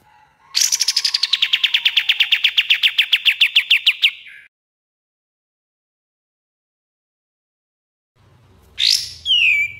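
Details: Kapas tembak (common iora) singing for a training master: a long brisk trill of clipped notes that falls from high to mid pitch and runs for several seconds, silence, then a short sharp rising and falling phrase.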